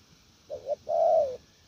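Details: A spotted dove used as a decoy bird sings a 'gù lèo' coo phrase: a quick double note, then one long, even, mellow coo that sags at the end.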